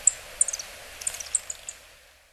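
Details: Yellow-throated bunting calls from a bird-call reference library: thin, very high, short tsip notes, single and in quick clusters, over about two seconds against faint hiss.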